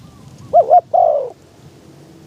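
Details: Spotted dove used as a decoy in an open-topped trap cage, calling to lure wild doves in strong wind: two quick hollow coos then a longer falling croo, one phrase over a faint low hum.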